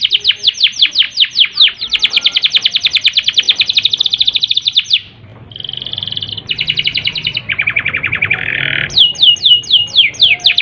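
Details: Caged-style canary roll used as a prompt for canaries short on breeding urge: rapid descending sweeps, a dense buzzy trill, a short pause, then shifting trilled tours at lower pitches before sweeps return.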